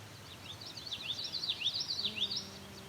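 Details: Common Yellowthroat in a wetland singing a very strong rolling witchety-witchety song, five or six quick high slurred notes in a row, with a faint low hum in the background.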